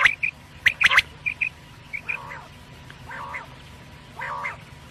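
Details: Batair, or quail, with a few quick high chirps and a clipped triple phrase early on, then three softer, drawn-out buzzy calls spaced about a second apart.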